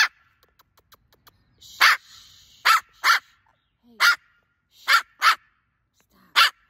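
A cockatoo imitates a dog with seven short, harsh, rasping barks, loosely spaced about a second apart, after a few faint clicks.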